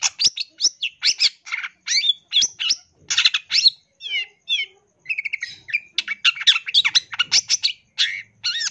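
A long-tailed shrike pours out a rapid, varied song of harsh chatters, sharp chips and whistled slurs, with brief pauses between bursts.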